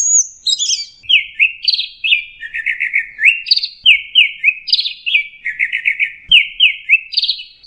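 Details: Steady orange-headed thrush song used as a lure for a stressed, silent bird, with repeated buzzy descending phrases and short trilled notes alternating in a fairly regular rhythm, roughly three or four notes per second.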